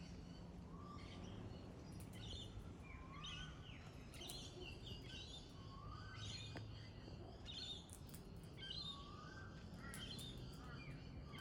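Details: Pale-headed rosella: a run of brief rising whistles repeated every couple of seconds, mixed with sharp high chirps and chatter from surrounding birds, over steady low background rumble.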